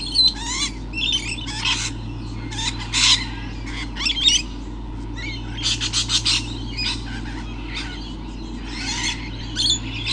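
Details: Lorikeets in the morning, around 7:29, screech in a dense, overlapping chorus of shrill, rasping bursts, several each second, over a steady low hum.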